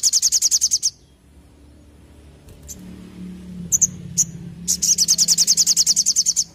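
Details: Olive-backed tailorbird, locally called sogon, singing actively in the rapid 'nembak ngleper' style of a tutoring recording: a fast series of high, even chips, about three per second, starting and ending the passage, with scattered single chips between and a faint low hum.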